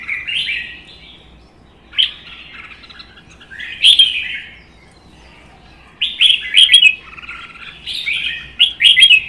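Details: Caged red-whiskered bulbuls in a Vietnamese singing contest, a captive-bred bird against a wild-caught adult; bright warbled phrases of rich, slurred whistles come in bursts separated by short pauses, with sharp high notes in places.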